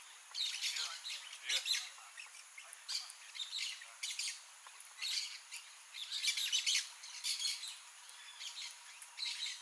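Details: Blaze-winged parakeet (Pyrrhura devillei), called tiriba-fogo, a rare bird in Brazil found only in MS: harsh, raspy screeching bursts in quick clusters every second or so, overlapping as if several birds call, over steady high background hiss.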